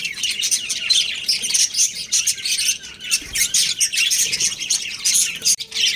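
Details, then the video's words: Pet budgerigars described as a breeding pair twitter continuously. Quick, sibilant chirps and buzzy chatter repeat in dense waves, loud throughout, with a faint low tone in places. "Cute Budgies Chirping Sounds"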